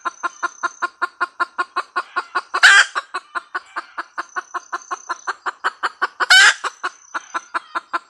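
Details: Hen red junglefowl cackling steadily: a long series of brisk clucks, about five each second, interrupted twice by a loud, rough squawk.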